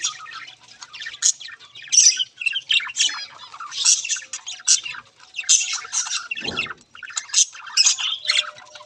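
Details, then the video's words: Budgies keep up a lively chatter of quick, harsh, high chirps and squeaky warbles in uneven bursts, with one low thump midway. "Beautiful Budgies"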